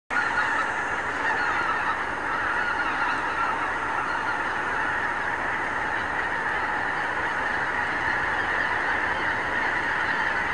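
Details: Thousands of wild geese gather in the morning on pastures and fields of the Lower Rhine region, recorded with a Canon HV20 camcorder; a dense, steady wall of overlapping nasal honks from a huge flock, with no pauses.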